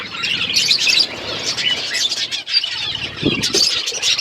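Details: Parrots eating food, February 25, 2024, produce a thick chatter of high chirps and short squawks, constant and overlapping, with a faint rustle or flutter partway through.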